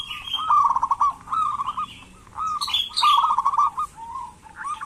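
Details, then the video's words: Local zebra dove kept as a lure to make idle doves sing gives short bursts of bubbling, rolling coos, mixed with sharper, higher chirps and twitters from other small birds nearby. "Perkutut lokal gacor pancingan perkutut malas agar bunyi"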